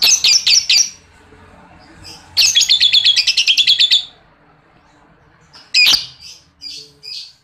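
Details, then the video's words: Lovebird ngekek, a long chattering song meant to train other lovebirds: a quick burst of chirps, then a rapid run of about fifteen clipped notes lasting over a second and a half, followed by scattered sharp calls. "pancingan lovebird TERBUKTI AMPUH NAIKAN MENTAL LOVEBIRD cepat Gacor NGEKEK panjang"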